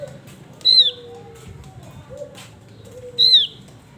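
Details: Active male Javan grey-throated white-eye: two loud, high, down-slurred whistled notes 2.5 seconds apart, with faint low gliding tones and soft rustles between.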